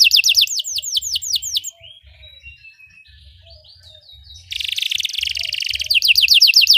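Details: Belgian canary, sung for training other canaries: fast falling notes, then a quieter passage of soft whistled slides and faint chirps, before a loud buzzing trill and renewed rapid descending notes.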